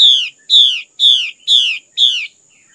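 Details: Female Chinese hwamei from the highland villages of northwestern Vietnam: five loud, bright descending notes with rich overtones, spaced about half a second apart, with a faint steady high tone running beneath.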